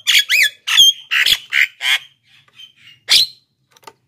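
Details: Javan myna in energetic full song, used as a lure for wild birds and as master audio for captive birds that seldom sing; harsh squawky bursts mixed with rising whistled notes and chattering rattles, then softer fragments and a final harsh burst.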